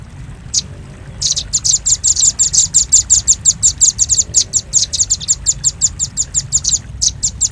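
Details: Lure sound of a velvet-fronted nuthatch. A lone high chip, then a long, rhythmic series of shrill, rapid notes that swell in loudness and continue steadily to the end.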